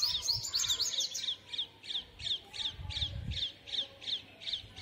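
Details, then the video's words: A sunbird gives sharp, high chips about three times a second after a brief burst of quick twittering, with faint low rumbling behind. "sunbird sound"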